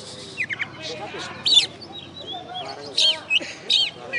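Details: A first-place contest oriental magpie-robin (kacer), West Kalimantan, Indonesia, described as master-tutored, sings scattered bright chirps and twisting whistled phrases in short bursts with gaps between.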